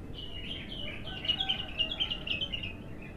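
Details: Raw, untrained bulbul (abtar) on an early song session, giving a soft series of short chirping, warbled notes at a steady pace over a hissy, noisy background.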